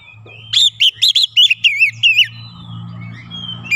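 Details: Oriental magpie-robin provoked by a lure recording, emotional and insistent, gives a rapid run of about six looping whistled notes before falling silent over a low background hum.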